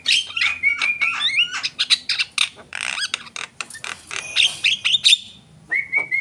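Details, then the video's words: Javan myna delivering a busy song of clicks, rasping notes and sliding whistles, ending with a clear sustained whistled note. "jalak kebo gacor"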